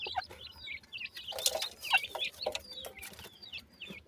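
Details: Young francolins feed and play at evening, giving rapid high twittering chirps, roughly two per second, mixed with clicks and brief scraping noises.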